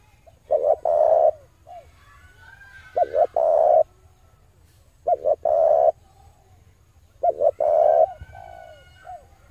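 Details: Male spotted dove calling to lure wild doves for trapping: low hollow coo phrases, each a couple of quick notes then a longer drawn coo, repeated about every two and a half seconds over a steady low hum.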